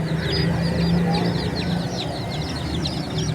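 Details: Many baby chickens chirping together: a dense chorus of high, short, downslurred peeps overlapping several times a second, with a steady low hum running beneath throughout.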